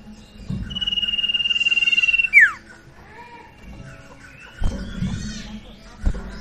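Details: Sirtu song used as a lure to make a quiet bird start singing: a long, fast, even trill held high for nearly two seconds, ending in a steep downward whistled sweep, then scattered softer chirps and knocks.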